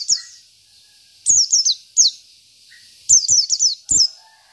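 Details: Local Oriental white-eye from Indonesia giving 'isian' filler song for tutoring: short bursts of three to five high, sharp downslurred notes separated by roughly one-second gaps, with occasional soft lower chirps.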